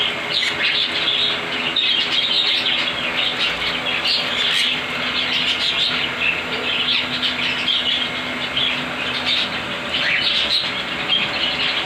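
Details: A mixed group of pet parrots (ringneck, cockatiel, budgies, sun conure) housed at home keeps up continuous high twittering and chirping, many birds calling at once, with short louder peaks and faint background hum.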